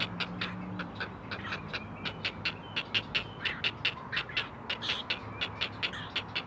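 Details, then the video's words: Four great blue heron chicks call for their mother from the nest, filmed by a live camera: quick, rasping clicks in a steady run of about 85 per minute, several voices overlapping, over low hum. "Four Singing Great Blue Heron Chicks!"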